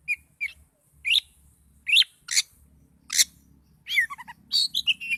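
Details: Oriental magpie-robin in an emotional, agitated mood, giving spaced loud harsh notes and rising chirps, ending in a quicker series of descending whistled notes.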